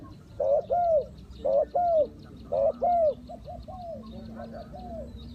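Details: A spotted dove used as a decoy to attract wild doves for trapping. Three clear phrases of a short coo and a longer sliding croo, then softer distant answering coos.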